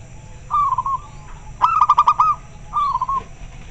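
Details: Local zebra dove with a very clear voice, answering other birds: three cooing phrases, a short falling coo, then a longer stuttering pulsed run, then another short coo, steady low hum underneath.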